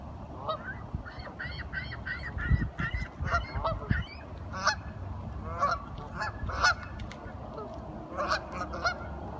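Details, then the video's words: Ducks chattering: a rapid run of short, evenly spaced nasal notes, then louder irregular honks and gabbling calls, with low knocking sounds in between. "Duck Sounds - Curious ducks talking"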